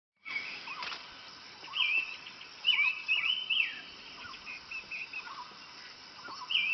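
A flavescent bulbul gives quick, bubbly, chattering phrases in bursts of about a second, with fainter lower notes from other birds against steady background hiss.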